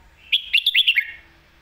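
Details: Red-whiskered bulbul singing a clear phrase in the lak wai (ลากหวาย) or mae bot (แม่บท) style: a quick run of about six bright, slurred whistled notes over under a second, the last ones sliding downward. Quiet background.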